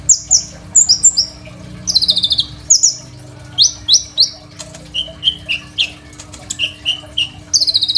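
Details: Phone recording of a Crimson sunbird's rich song, used to train other songbirds: shrill, high, rapid trills and strings of slurred descending notes, some lower and repeated in series, with short pauses and a faint background hum.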